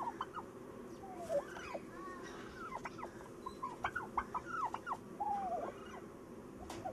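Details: Turkey producing repeated bubbling runs of short curved notes, some rising and some dropping in pitch, with brief pauses between bursts over a constant low rumble.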